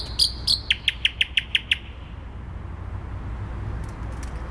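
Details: Song of a thrush nightingale in central Warsaw on 12 May 2020: two loud high notes followed by six evenly spaced, sharp chopped notes, then quiet with faint distant chirps and low urban hum.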